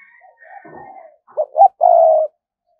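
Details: Spotted dove lure bird cooing to attract wild doves: two short, soft hollow coos followed by one long, steady coo, after faint scratchy sounds.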